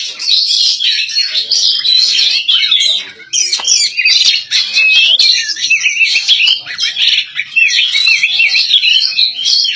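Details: Female white-rumped shama singing energetically, matching the males: dense continuous warbling of rapid high whistles, chatters and slurred notes, loud and overlapping throughout with a short dip in the middle.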